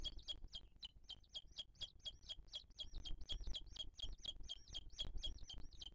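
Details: At a wild Booted eagle nest in 2023, the female feeds the chick while birds attack her. Shrill, high, looping notes repeat quickly, about three to four per second, against low rumble.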